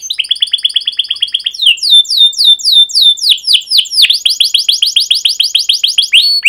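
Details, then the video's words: Singing canary, used as a master song for young canaries learning: even rapid trill of rising chirps, then slower swooping whistles, then a fast run of falling chirps. "PANCINGAN Kenari GACOR PANJANG Cuit CUIT EMOSI ini AMPUH utk MASTERAN Kenari PAUD belajar BUNYI"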